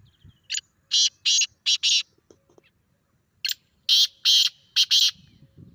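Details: Grey francolin call played to stir a pet francolin, with two rhythmic groups of four or five loud, harsh, broadband notes, each group lasting about a second and a half.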